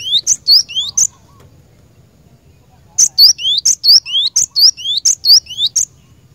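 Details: Cinereous tit song used to lure and train caged birds: a short run of bright rising whistles and shrill high notes, a pause, then a longer steady series of the same paired phrases.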